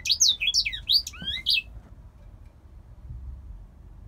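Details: Male grey singer finch in captivity, from Poland, sings a short burst of loud slurred whistles and rising notes for under two seconds, then falls silent, leaving faint room noise.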